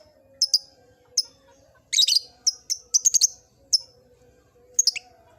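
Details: Lovebird kept in an old cage, beginning its ngekek chatter: a lively run of shrill high chirps, doubled and tripled in fast clusters, with a harsher burst near two seconds and a falling note at the end.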